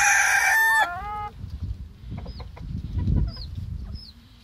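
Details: Ottoman Black Sultan chicken, a Turkish breed kept by a breeder: a loud harsh crow ends, its final note bending downward, followed by low rumbling background noise and a few faint high chirps.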